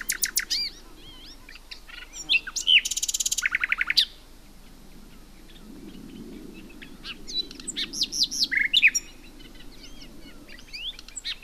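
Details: Common nightingale in song, varied phrases: quick chirps, then a loud buzzy rapid trill lasting over a second, a pause with soft background hum, then rising sharp notes and twittering runs.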